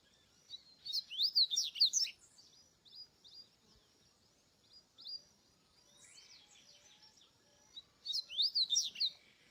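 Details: Wild double-collared seedeater singing in nature: bursts of quick, high twittering notes with rapid slurred trills near 1 and 8.5 seconds, softer scattered chirps between, against a quiet natural background.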